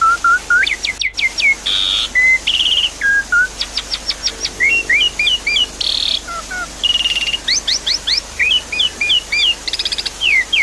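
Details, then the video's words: Lure song of the Javan pied starling for a silent caged bird: varied whistled phrases, clusters of fast upward-sweeping notes, short buzzy blocks and looping slurred chirps in dense, steady succession. "Therapy Pancingan Jalak Suren Macet Bunyi, Sounds Water And Birds"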